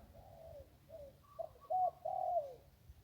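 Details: Wild zebra dove beside the Ping River singing: a run of soft, rolling cooing notes that climb into brighter, trilled phrases, the loudest two near the end, over a low background hum.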